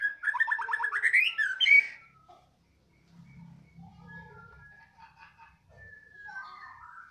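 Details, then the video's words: Just after feeding, a white-rumped shama ('balak 6') bursts into a fast series of rising whistled notes climbing in pitch over two seconds, then falls quiet with only faint scattered whistles and a low rumble. "habis di KASIH makan balak 6 langsung kepantau gacor"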